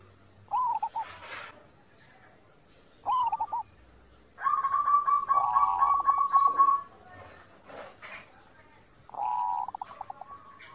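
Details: Zebra dove song, used as master audio for training captive doves to sing: several cooing phrases, each a mid-pitched bubbling trill that ends in a longer steady coo, spaced a few seconds apart, with brief sharp clicks between them.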